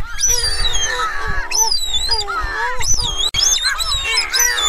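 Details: Streaked shearwater calling and singing: overlapping wavering, wailing notes that slide up and down with strong harmonics, several voices at once over a low rumbling background.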